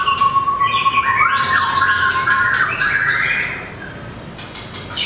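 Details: White-rumped shama, a mini bird with a very long tail, singing in competition: a steady whistled tone, then rich rising and falling warbled phrases with sharp clicks, fading near the end.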